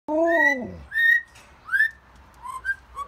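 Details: Pet blue-fronted amazon parrot singing outdoors: a long falling whistle rich in harmonics, then short rising whistled notes and softer slurred phrases, with a low steady hum beneath.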